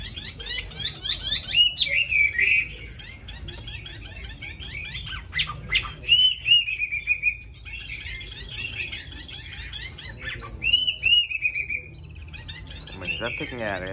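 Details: Caged Hwamei with a wild-type voice, described as quick to sing and singing constantly, delivering loud whistled phrases that slide and warble in bursts, separated by short pauses, with rapid chattering notes between phrases.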